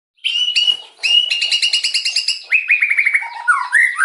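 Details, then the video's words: White-rumped shama, a caged songbird, singing a fast, harsh 'nembak' style song: bursts of rapid repeated notes around mid-high pitch, trills broken by short pauses, then descending slurred phrases near the end. "Ocehan murai nembak kasar"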